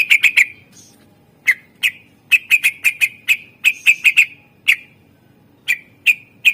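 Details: Greater green leafbird song, used as a lure to stir other birds into singing, with rich fill-in phrases: sharp whistled notes at one steady pitch, given in quick triplets and single spaced calls against a quiet background.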